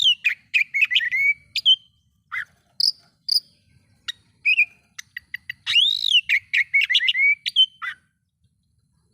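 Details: Varied song of an oriental magpie-robin, used to rouse rival magpie-robins: quick jumbled whistles, sharp high ticks and a looping arched note, delivered in rapid bursts with brief pauses.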